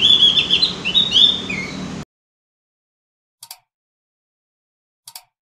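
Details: Javan grey-throated white-eye (opior jawa, cucak gentong), a lure recording to get birds singing often: two seconds of rapid high twittering, with chirpy slurred notes, then silence broken by two faint clicks.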